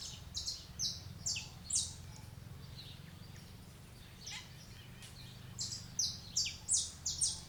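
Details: Wild saffron finch singing on a branch: bursts of short, bright, high chipping notes in quick succession, a quieter gap mid-way, then a second run of similar sharp notes, over a steady low rumble.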